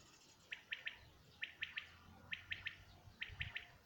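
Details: Common quail singing in 2019: crisp three-note phrases, each a quick burst of sharp clicks, repeated four times about once a second over quiet background hiss.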